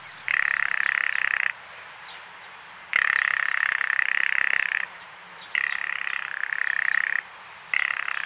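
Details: Female blue jay calling from an empty feeder, giving the rattle, a call only females use and documented as a territorial alert; four long, dense, buzzy rattles of one to two seconds each, separated by short pauses, with faint background hiss.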